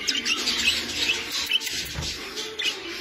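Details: English budgerigars kept and bred European style, a flock giving rapid high chirps and warbling twitters, dense overlapping bursts several times a second, with a faint low murmur underneath.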